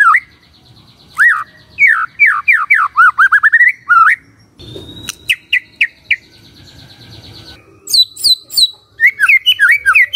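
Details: Magpie-robin singing in the morning, used to prompt a quiet bird into answering: loud, varied whistled phrases of swooping and rising notes in quick bursts, with a few buzzy notes and pauses between them.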